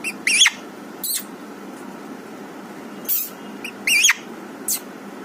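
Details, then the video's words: Green parrot uttering loud, harsh, rasping squawks in short bursts, some in quick pairs, with quiet gaps between them. "parrot talking"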